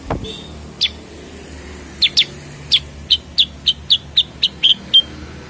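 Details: Cucak kurincang bulbul, also called kutilang sutra or kuniran, delivering a series of crisp high chips that quicken to about four per second, after a faint thin whistle.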